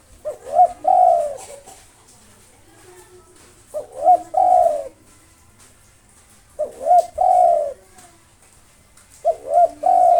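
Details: Local spotted dove, a persistent long-breathed singer used to provoke rival birds, cooing in phrases of two short rising notes then a long drawn coo, repeated about every three seconds; faint other sounds in a small room.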